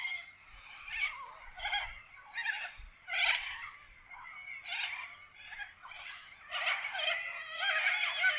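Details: A flock of wild corellas in Australian forest keeps up a continuous rasping, overlapping screeching chorus with no pause, some calls louder and closer than others.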